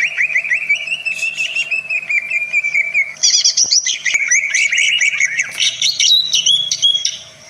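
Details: Greater green leafbird in varied song meant to provoke other birds: a long chattering run of fast notes, a burst of high twitters, then mixed whistles and trills, with a faint steady hum throughout.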